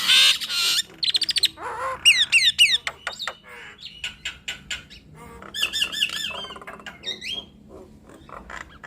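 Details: Duetting Nias hill mynas give quick runs of clicking notes, ringing whistles that slide up and down, and short harsh squawks, with brief pauses between phrases.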